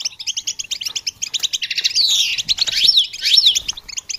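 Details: Goldfinch singing for songbird training: rapid, even chirps run for two seconds, then give way to louder sweeping slurred notes and sharp rising-falling whistles before the quick twittering resumes.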